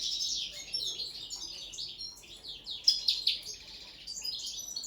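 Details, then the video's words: Common linnet in its first training session for singing on the table, giving a rapid, twittering song of buzzy and chirping high notes with brief bright whistles, delivered continuously with small pauses. "ANIFLA pesma na sto, carduelis cannabina"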